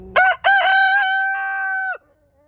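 An Easter Egger rooster gives a single loud crow: two short clipped notes, then a long, steady, harmonic-rich note held for over a second before it stops abruptly.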